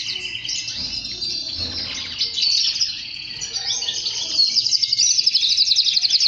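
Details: Singing male canary, recorded to encourage males to sing: varied twittering and chattering phrases that build into a loud, fast pulsed trill over the last two seconds.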